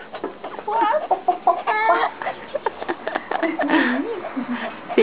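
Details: Chickens heard at dawn from a room facing Lake Titicaca in Copacabana cluck and squawk in short, harsh, overlapping bursts, waking the listener, with a person's voice mixed in.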